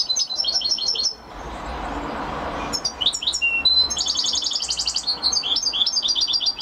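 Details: European goldfinch song: a short run of evenly spaced high chirps, a pause over soft background noise, then lively twittering with liquid notes and a fast repeated trill.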